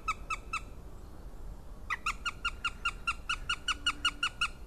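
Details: Juvenile Northern goshawk (Accipiter gentilis) at a nest in Latvia, 20 March 2018, gives short squealing high begging notes, about three per second with a brief pause, over low background rumble.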